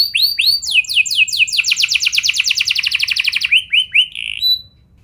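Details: Canary singing as a trigger to make other canaries join in: a few downslurred whistles lead into a long, very fast rolling trill, closing with a handful of separate notes that fade out.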